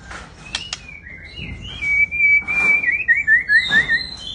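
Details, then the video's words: White-rumped shama, a large kept bird, giving a long sustained whistle that breaks into a rapid series of repeated descending whistled notes, with a few sharp clicks at the start. "Riwik.an murai batu big jumbo"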